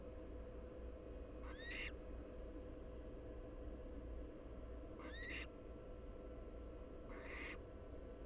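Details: American barn owl nestlings, three siblings in a nest box in Florida (two large and one much smaller chick) filmed by a live camera, giving three short, harsh, rasping screech-hisses a few seconds apart over steady low hum.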